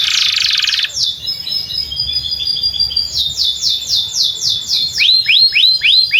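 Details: Canary singing beside a field, a song played to teach young canaries and coax silent ones: a long high buzzing trill, then rapid descending whistles about four per second, ending in sweeping upslurred notes.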